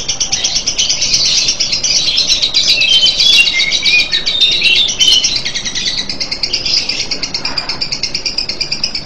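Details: Lovebird singing its drawn-out ngekek, an unbroken, high-pitched buzzing trill of rapid pulses with a few whistled glides around the middle, easing slightly in loudness later.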